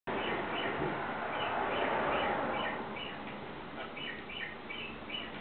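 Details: Pet parakeet playing on the legs of a stand hair dryer indoors, giving a rapid series of short chirps, about three to four per second, over steady background hum.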